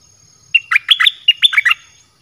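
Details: Red-whiskered bulbul in dok taeng song style, used to lure wild birds: a single crisp phrase of about eight quick, liquid, up-and-down notes lasting just over a second, clean background.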